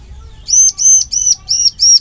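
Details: Bar-winged prinia song played as a lure to catch the same species: five arched, high, ringing chip notes in a quick even series after a brief quiet start, a steady thin high whine behind.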